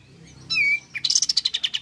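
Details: A lively Malaysian pied fantail, used to provoke other fantails to call, gives one thin, high whistle, then a quick run of about ten sharp, squeaky notes that step slightly downward.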